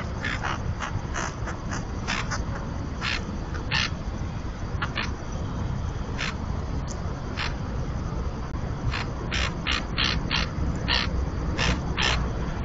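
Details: Common terns, pairs incubating eggs on a floating nesting platform at the only colony in the Cantabrian region, Marismas de Astillero reserve, Santander Bay, Spain, captured by webcam; harsh rasping calls in short bursts, irregularly repeated, over a constant low wind-like rumble.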